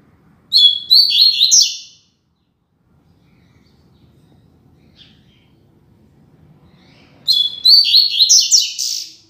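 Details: {'caption': 'Double-collared seedeater giving the classic Tui Tui Zel Zel song, a tutoring model for young birds: two short bursts of sharp whistled and buzzy notes about seven seconds apart, with near silence between them.'}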